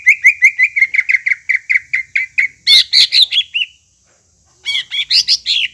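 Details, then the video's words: Song of a greater green leafbird, played to prompt a quiet caged bird to sing again: fast repeated chirping notes, then louder varied phrases, a pause, and a burst of higher warbled notes. "PANCINGAN BURUNG CUCAK IJO YANG MALES BUNYI,MACET BUNYI AGAR GACOR KEMBALI"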